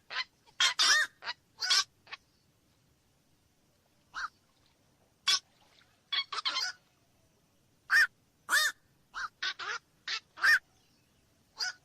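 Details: Black-crowned night herons giving scattered, throaty quok calls. Short clusters of rough barks are broken by quiet stretches, with some notes near and loud and others fainter.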